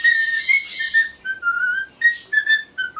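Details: Pet Solomons corella chattering alone while it waits for pumpkin, humming a tuneless version of a song: a rich harmonic opening, then a series of clear whistled notes that rise and fall in short phrases with brief pauses.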